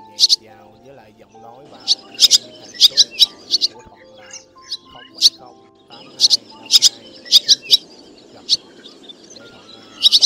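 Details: White-bellied black swallows give flock and roost calls used as a net-trapping lure: bright, sharp chirps in quick bursts every second or two over a soft bed of steady music tones.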